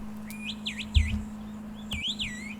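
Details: A wallcreeper, a high-mountain bird, seen in winter on church walls at 760 m altitude after descending low for the season. It gives thin, high whistled notes that swoop down and up in two short bursts about a second apart, over a low hum and soft thump.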